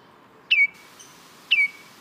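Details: Baltimore oriole (Icterus galbula) giving two short, clear downslurred whistles about one second apart against a quiet hissy background.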